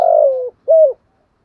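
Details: Spotted dove cooing in the thổ voice style: a long, level, slowly falling low coo followed by one short, clipped, arched note, then silence.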